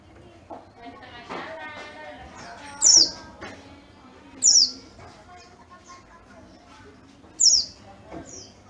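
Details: Yellow-breasted Oriental white-eye from Garut, kept as a quality bird, gives three loud, sharp, descending high chirps spaced a few seconds apart over a murmur of other birds and voices.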